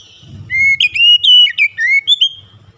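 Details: White-rumped shama lure song: a run of clear, strong whistled notes gliding and wavering, with short sharp chips between them over a faint low background murmur.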